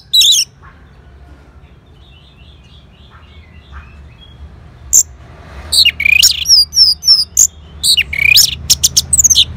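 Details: Orange-headed thrush reacting to a lure call: after a soft, quiet stretch, a fast, rising flurry of bright twisting whistles and sharp chips builds toward the end.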